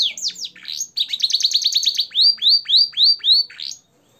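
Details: Canary singing a clear, fancy training song with blackthroat and sanger phrases: a few falling notes, a rapid trill, then five loud slurred whistles spaced evenly before the song stops.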